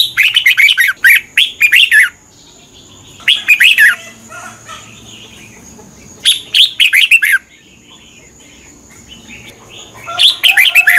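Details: Red-whiskered bulbul from Thailand, a song played to train caged birds or excite them: short bursts of five or six bright, falling whistled notes, repeated about every three seconds, with a faint steady high tone between phrases.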